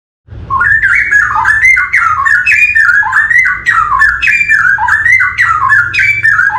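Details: Straw-headed bulbul singing in forest: a loud, rich, bubbling warble of liquid whistled notes rolling up and down in connected phrases, continuous after a brief silent start, with a faint low hum beneath.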